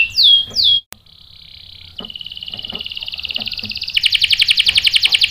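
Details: Canary song used as a lure to make other canaries answer and roll: two loud swooping notes, a short pause, then a thin rapid trill that steadily grows louder and ends in a strong, fast, buzzing roll.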